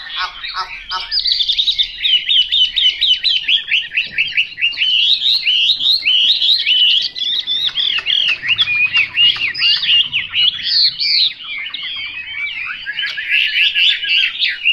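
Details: Chinese hwamei singing a loud, rich, continuous song of rapid varied whistled and warbled phrases, fast-modulated notes tumbling up and down without pause, opening with a few short sharp notes.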